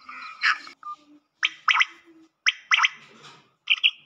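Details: Black francolin call, played to excite the bird: harsh, broadband grating notes given mostly in quick doublets, in about four bursts over four seconds, with short faint low notes between them.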